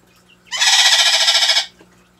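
A pet parrot gives one harsh, raspy squawk lasting about a second, loud and buzzy with a slightly pulsing texture, against a quiet indoor background.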